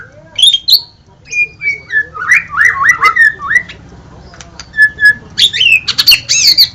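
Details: White-rumped shama (murai batu) song: clear level whistles, then a run of slurred fluty notes, a pause, and a final burst of high sweeping phrases, over a soft steady hum.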